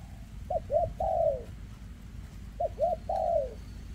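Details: A spotted dove with a leg ailment, recorded in 2024, repeats its very thick rước cooing: two identical phrases about two seconds apart, each two short bent coos and a longer gliding coo, over low hum.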